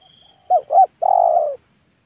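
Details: Single phrase from a male spotted dove: two short soft coos followed by a long, purring, slightly descending coo, clean and close.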